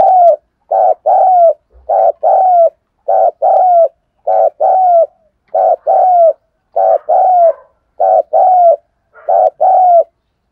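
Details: Morning calling of a decoy spotted dove: low cooing notes in quick pairs, about ten pairs in a row, each pair a short coo and a slightly longer one, steady and evenly spaced, with no other sounds.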